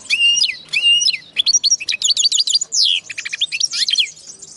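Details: Linnet and canary hybrid singing a fast, varied song of sweet whistled notes, rising and falling slurs and rapid trills, phrases shifting every second or so, with no other clear sounds.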